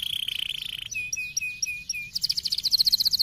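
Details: Canary stimulating song: a rapid steady trill, then short downslurred notes in series, finishing with a bright pulsing high-pitched rattle.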